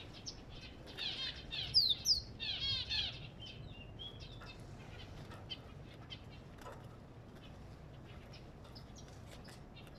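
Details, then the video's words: African goldfinch song: a loud burst of bright, high chirps and twittering in the first seconds, trailing off into faint scattered tweets over quiet background hiss. "اسمع صوت الحسون الافريقي"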